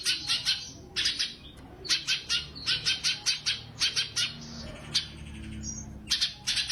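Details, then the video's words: Sumatran leafbird, known locally as cucak cungkok, in gacor tembakan singing, used as master audio for competition birds: short bursts of sharp, high, rattling notes, several per second, separated by brief gaps. "burung Cucak CUNGKOK Gacor Tembakan Istimewa"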